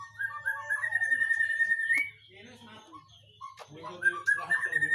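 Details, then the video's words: Agitated whistling thrush giving loud, clear whistled notes that slide upward and hold steady, a long rising phrase over the first two seconds, then scratchy notes and further rising whistles, with faint low chatter beneath. "burung CIUNG BATU yg lagi NGAMUK"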